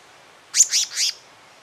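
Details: Black-naped monarch, a pair of male and female at their nest: three quick harsh, buzzy notes with sharp downward sweeps, delivered within about half a second against a quiet background.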